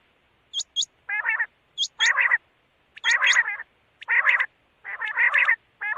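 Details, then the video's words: A quail gives two sharp, high chips then a harsh, nasal burst, the phrase repeating about once a second with no other sounds. "Batair ki awaz|quail sound"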